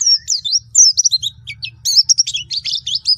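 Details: Pleci Baduy white-eye song: busy, high-pitched twittering of quick slurred whistles and chirps tumbling without pause, loud and continuous across the whole stretch.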